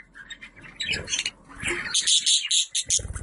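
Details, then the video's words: Budgerigar chattering in dense, scratchy warbles with sharp high clicks, over a low background rumble. "Muhabbet Kuşu Sesleri"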